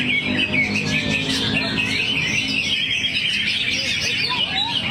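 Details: Greater green leafbird delivering a busy stream of high chirps and varied warbled phrases. A few lower sliding whistles appear near the end over a constant low background hum.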